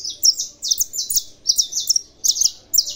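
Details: Loud, rapid song of a kept Brazilian saffron finch: clusters of piercing high chirps repeated in tight groups, with almost no pause between bursts.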